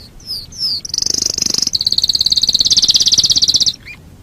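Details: Canary singing for a training master recording: three slurred rising notes lead into a long, very fast high rattle lasting nearly three seconds, ending with one short twist of sound.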